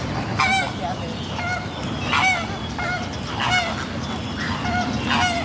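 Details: Coscoroba swans at a lake where many swans gather; short nasal, harmonic honks come in bursts about every second, some paired or overlapping, over a steady low murmur of background noise.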